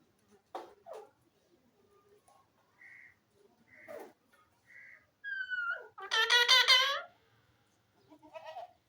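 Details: Pet Alexandrine parakeet (pahari tota) indoors, kept as a talking bird: short clicks and soft hoots, three brief even whistles, a falling whistled note, then a loud harsh screeching call and a final soft chatter.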